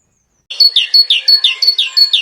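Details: During a dawn chorus on a UK smallholding, a great tit sings a strident, high two-note 'teacher-teacher' phrase, repeated rapidly about five times a second, each pair dropping in pitch.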